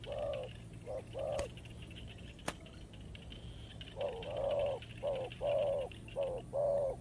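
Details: Spotted dove heard as a trapping decoy, giving soft low coos in groups. Short notes are followed by longer drawn-out ones, with a faint click and a steady background hum.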